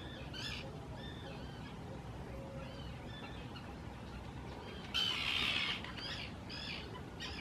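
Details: Common terns gathering to nest on islands at Hula Nature Reserve, Israel, spring 2018, courting loudly; scattered faint calls in the distance, then one sudden loud rasping screech nearby, followed by short calls.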